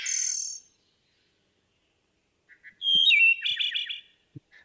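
A Wood Thrush sings: a buzzy trill, a few soft low notes, then a clear fluting phrase that breaks into a quick, rippling trill. Faint clicks are heard.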